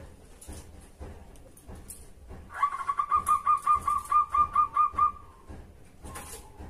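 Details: Zebra dove lure song for prompting other doves to answer: after a quiet start with faint background noises, a burst of quick, bubbling cooed notes rolls evenly for a few seconds, then fades.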